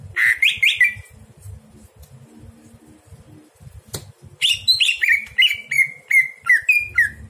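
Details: Greater green leafbird singing at night, a tutor recording for other birds: two quick downslurred notes, a pause with a single sharp click, then a long series of bright, descending chirps repeated about three per second.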